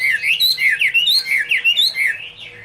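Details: Chinese hwamei singing a quick series of loud, clear whistled slurs, each swooping up or down, about four per second, fading at the end.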